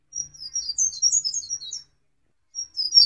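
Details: High, thin twittering from a black-capped white-eye singing continuously for songbird training: a quick run of sharp, sliding chirps, a silent gap, then the phrase starts again.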